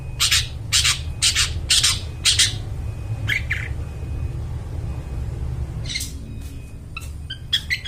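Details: Long-tailed shrike in full voice, used as a lure for wild forest birds; five loud, buzzy, grating bursts in quick succession, quieter rasps, then sparse high chips, over a heavy low rumble.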